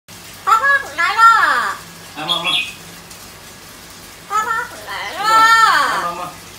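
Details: Yellow-crowned amazon parrot giving harsh, harmonic squawks that arch up and down in pitch, in two bursts separated by a short pause, indoors with a faint hum in the background.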